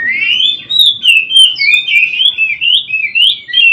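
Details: Continuous song of an Oriental magpie-robin, known locally as kacer, from a daily mastering track for training birds: a fast, unbroken stream of warbled, rising and falling whistles with frequent quick note changes.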